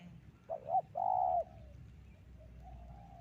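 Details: One phrase of a spotted dove lure call for trapping: a short double coo, then a long mellow coo trailing off, followed by a fainter, softer coo further away.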